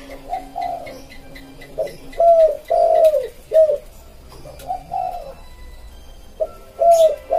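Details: Spotted dove song, a 'pédo élem' style voice with a smooth cooing tone, used to lure wild birds: low, soft hooting coos in short bursts of two or three, with quiet pauses between phrases.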